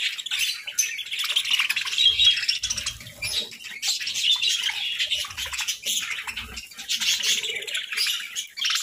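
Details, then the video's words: Parakeet chatter during the morning breakfast feed, a dense, continuous stream of high, scratchy chirps and squawks with little pause, rising and falling in bursts. "A Parakeet's Morning Feast"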